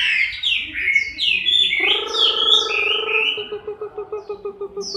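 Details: Chinese hwamei in moult, October 2015. Fluid slurred whistles give way to a low, nasal, harmonic drone that breaks into rapid pulses repeated several times a second, ending with one high note.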